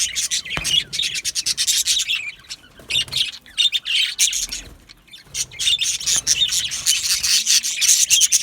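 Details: Aviary colony of yellow male budgerigars chattering, rapid sharp chirps about three per second in uneven bursts, with a soft thump and a brief lull midway.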